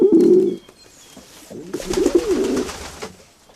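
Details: A loud low coo opens, then after a pause a softer run of gurgling pigeon coos with a faint flutter of wings.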